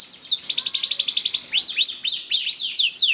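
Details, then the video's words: Canary singing a lure song to make other canaries sing, with a rapid high trill of even notes followed by a series of looping, rising-and-falling whistled phrases. "PANCINGAN KENARI GACOR DOR NGEREK PANJANG INI AMPUH BIKIN KENARI LAIN BUNYI"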